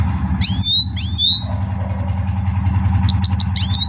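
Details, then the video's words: A caged goldfinch singing: two bright, sweeping whistled notes, then a quick run of short tinkling twitters, over a steady low mechanical hum. "Gold Finch Power Full Singing"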